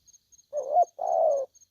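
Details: Aggressive spotted dove calling: a short low coo sliding upward into a rough warble, a pause, then a longer, steady, throaty coo. Faint high ticks sound in the background.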